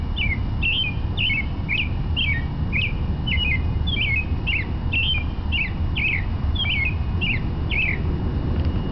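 A robin sings a steady run of short, falling chirped notes, about two each second, over a constant low rumble of background noise.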